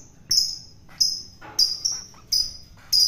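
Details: Long-tailed shrike caught wild and being fed to tame it; thin, piercing, whistle-like high notes repeated about every half second with faint scratchy sounds between.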